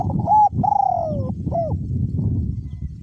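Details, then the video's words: Spotted dove decoy bird in a cage, small-to-medium voice, cooing while strong wind blows: a clipped opening note, a long coo sloping downward, and a rounded closing note, then quiet wind rumble. "นกเขาใหญ่ เจ้าเทพ อสูญ🌟ลมแรงขนาไหนก็ขันครับ?"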